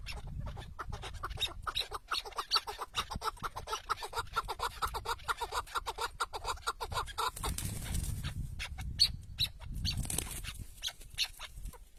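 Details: Chukar partridge, a tethered decoy bird during a partridge hunt in the wild, giving a long run of quick, clipped, knocking notes, roughly two per second, over a rustling outdoor background, with a brief hiss of noise near the end.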